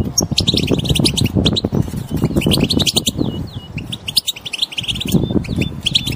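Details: Wild European goldfinches in collective twittering meant to make a silent goldfinch sing: loud, bright chirps in busy bursts, a few sliding whistled notes midway, then scattered chirps over low rumbling noise.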